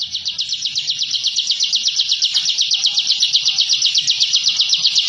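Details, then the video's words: Intimidating 'ngebren' song of a bar-winged prinia (ciblek), kept as training material for captive birds: a very regular, rapid, buzzy trill of about four notes per second, steadily building in loudness. "Suara Masteran Burung Ciblek Ngebren & Rapat Abis"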